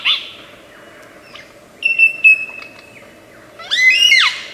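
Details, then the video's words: Lyrebird of Australian forests imitating other birds: a harsh opening note, a clear steady whistle held nearly a second, then a rich rising-and-falling flourish of overlapping chirps, with quiet hiss between phrases. "Tembakan Lyrebird gacor 1001 macam suara cocok untuk masteran,Lyrebird song bird singing"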